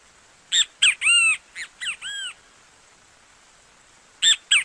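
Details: Great kiskadee from Brazil singing: two clear three-part phrases of loud, arched, slightly nasal notes, the last note of each longer and drawn out, then two more sharp notes after a pause.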